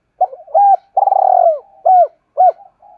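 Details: Spotted dove cooing, used to provoke other doves to coo: a sequence of mellow, low hollow notes, one longer rolling purr-like coo in the middle, then several short clipped coos, clean with no other sounds.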